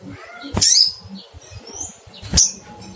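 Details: Two loud, piercing cuitt chirps from a little spiderhunter seeking a rival, spaced nearly two seconds apart, each a very high sliding note over a faint low rumble.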